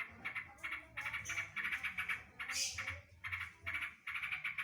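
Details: Yellow-vented bulbul song filled with imitated greater green leafbird 'drodot' bursts: short chattering phrases, about a quarter-second each, repeated in quick series with brief pauses between groups.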